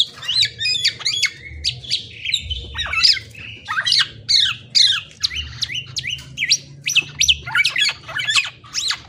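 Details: Long, energetic Black-naped oriole song: fast, varied run of sharp whistled and squawky high notes, some slurring up and down, delivered almost without pause, with a faint low hum.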